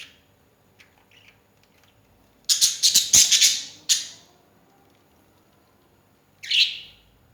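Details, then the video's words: Pet birds calling early in the morning: after near silence, a loud rapid burst of harsh chattering notes lasting about a second and a half, then a single hoarse squawk a few seconds later. "my lovely birds making noise early in the morning!"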